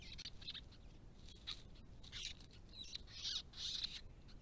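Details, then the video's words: White-browed babblers, restless and noisy, at a pond in a protected area with native grasses; harsh, buzzy squawks in short bursts, louder toward the end, over a soft background hiss. "White-browed Babbler - restless, noisy and querulous"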